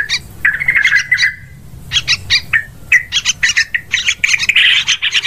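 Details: Yellow-vented bulbul calls used to lure birds for hunting; a drawn-out warbled phrase opens, followed by spaced sharp chips and a rising burst of bubbly chatter.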